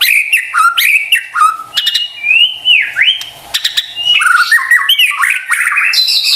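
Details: White-rumped shama lure song meant to trigger silent birds into full song: quick clicks mixed with arching whistled phrases and varied melodic notes, loud and lively throughout.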